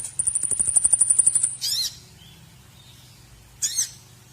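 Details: White-rumped shama song from a masteran for training other birds: a high, thin, pulsing trill of about a dozen beats, followed by two short harsh, scratchy bursts separated by a quiet gap, with a low hum throughout.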